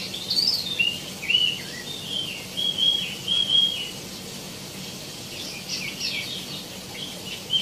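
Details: Tieumi (wambi mini) in rich, energetic song: a few high sweeping whistles followed by a wavering, warbled run of mid-pitched notes, then softer distant twitters, with a constant hissing background.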